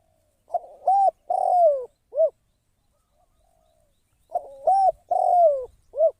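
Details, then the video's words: A spotted dove used as a trapping decoy repeats its cooing phrase twice, about four seconds apart. Each phrase is a stuttered lead-in note, a long coo gliding downward and a crisp short final note. Otherwise very quiet. "เสียง นกต่อ นกเขาใหญ่"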